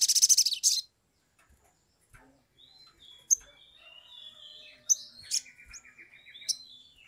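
A leafbird sings a fast, varied run of high chirps, whistles and sharp notes, opening with a loud dense burst of high twittering.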